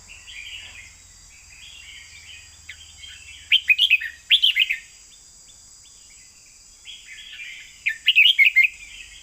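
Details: Red-whiskered bulbul giving 'เบิ้ล2เบิ้ล3' doubled song. Soft warbled notes build into two bursts of rapid, bright chirping whistles, separated by a quiet gap, against a constant high-pitched hiss.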